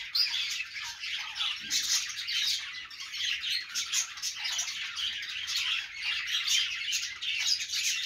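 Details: Steady budgerigar warbling from several birds, an unbroken mesh of thin chirps, clicks and scratchy notes with occasional sharper tweets, and a faint low thump near the start.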